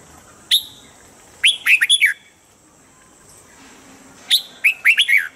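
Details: Red-whiskered bulbul song used as a standard voice for training caged birds each morning: short bursts of loud, clear whistled notes around two to four kilohertz, a single note then a rapid phrase of four or five, repeated after a pause, with a steady background hum.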